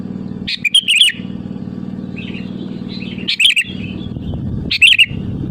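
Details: Sooty-headed bulbul singing vigorously, calling rivals, used as a lure: three short, bubbly whistled phrases about every two seconds over a steady low droning hum.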